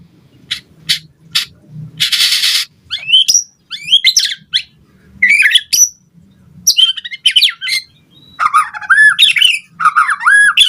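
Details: Lively white-rumped shama song meant to trigger replies from other birds: varied phrases of bright slurred whistles, harsh noisy bursts and rapid chattering notes, delivered in irregular bursts with short gaps and faint low background sounds.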